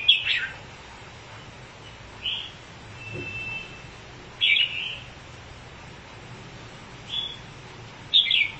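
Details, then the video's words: Red-whiskered bulbul, a bird that spreads its wings as it sings, gives short, bright, scratchy whistled phrases spaced about two seconds apart, with a faint steady tone between them and a low background hum. "Chào Mào Bông Cứ Ché Là Xoè Cánh"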